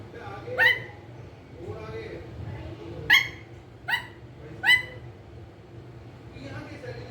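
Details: Pet green ringneck parrot, a rose-ringed parakeet, talking: four sharp, harsh, downward-sweeping squawks spaced irregularly, with softer, fainter calls between them over a low steady hum.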